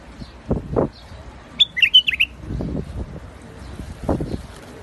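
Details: White-eared bulbul (Iraqi bulbul) in a rooftop garden gives one short phrase of four or five clear, bouncing whistles. Low thumping and rustling sounds occur before and after.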